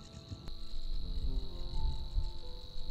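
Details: Savi's warbler (Locustella luscinioides) singing in spring in a vast flooded reedbed: a fast, even, cricket-like trill on one steady pitch without a break, over a low rumble and faint sustained musical tones.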